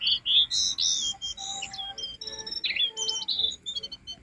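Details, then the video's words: Lively jongkangan song used as a lure for caged birds: loud high chirps and bright slurred whistles at the start, then a quicker, softer twittering chatter. "Masteran jongkangan gacor isian"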